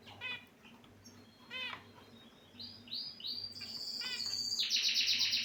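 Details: Caged finches chirping: short stacked chirps early on, then a rising run of nasal notes that builds into a loud, buzzy, rapidly repeated trill near the end, over a steady low mechanical hum.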